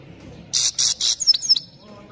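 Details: European goldfinch singing: three harsh buzzy rasping notes in a row, then a few quick high whistled twitters sliding downward.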